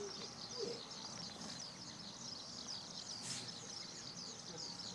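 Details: Eurasian skylark song from the fourth parking lot of Okayama Airport, Japan, on a sunny June 5, 2013, taken with a Lumix DMC-FZ150: an unbroken, high, fast chirruping warble over faint low rumble.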